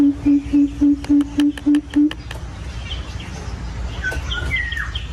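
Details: Aviary-kept coucal calling to its flock with eight deep, evenly spaced hoots at a quick pace, ending after two seconds; background hum and faint whistles of other birds follow.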